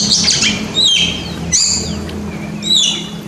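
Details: White-rumped shama (kacer), caged, recorded as a master song to stimulate quiet birds: clear whistled notes sliding up and down, some arched slurs, delivered in short phrases roughly every second, with a low hum beneath.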